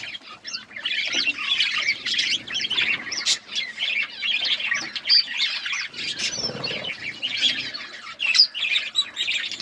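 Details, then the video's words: Colourful budgies chirping in a busy flock, continuous high squeaky chatter and warbles with sharp squawks, no pauses. "Beautiful budgies colour budgies chirping sounds"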